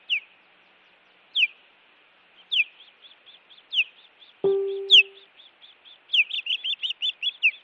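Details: Nest-cam recording of an osprey in Montana, 16 June 2017 evening, during intruder attacks: loud down-slurred cries about once a second between soft chirps, one short low buzzy tone midway, ending in a hurried volley of chirps.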